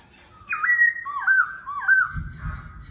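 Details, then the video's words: Laughingthrush's competitive forest-voice song, kéo thuốc lào style with continuous voice changes: three loud rising-then-falling whistled phrases, followed by a low rumble near the end. "Khướu hót giọng rừng - hót đấu - đảo giọng liên tục - kéo thuốc lào"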